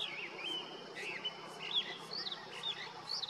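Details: From a deodar twig in the Uttarakhand Himalaya, a male Grey-winged Blackbird sings its summer territorial song: rapid, rhythmic warbled notes, looping up and down, delivered about twice per second.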